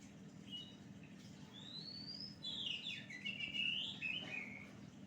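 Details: Song of an Oriental magpie-robin used to lure birds: a long rising whistle, then a dense run of varied chattering and warbling notes peaking in the middle before trailing off, with a constant low background hum.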